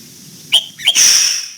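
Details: Red-whiskered bulbul singing in the morning during voice training, aiming for the old-forest double note; a short whistled phrase rising to a loud sustained high note, with faint low background rumble.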